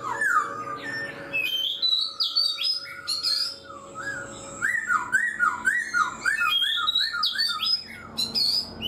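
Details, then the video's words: Black-throated laughingthrush kept caged for four months delivering continuous whistled song, repeated looping mid-pitched notes alternating with higher bright phrases, over a faint steady hum. "Khướu bạc má 4 tháng lồng, người rài giọng cực hay"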